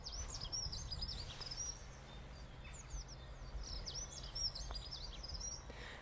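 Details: A dunnock, one of many aggressive, territorial dunnocks in the area, sings a rapid, thin, high warbling of squeaky notes in bursts from near a hedge, over steady low rumbling background noise. It was identified by ear and confirmed by an app.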